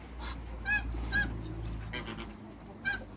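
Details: African geese, three together, honking as they meet new geese on a waterbird farm. Sharp nasal honks come in quick pairs, then a pause and one more, over a low steady drone.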